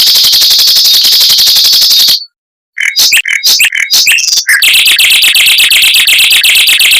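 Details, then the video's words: Mockingbird song in the rapid, tight "roll speed, long shot" style, played as a tutor for white-rumped shamas: about two seconds of dense, fast buzzy trilling, a brief silence, a burst of varied sharp chips, then a long rapid trill again. "Suara Burung Mockingbird Roll Speed Rapat Tembakan Panjang untuk Masteran Murai Batu"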